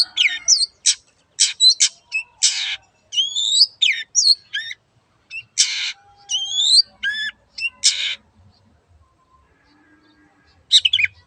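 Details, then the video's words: Long-tailed shrike in animated song mixing rasping squawks with sweeping whistled notes and chatter, falling silent for a few seconds before a final harsh burst. "BURUNG CENDET GACOR YANG BISU JADI BUKA SUARA DAN IKUT BUNYI"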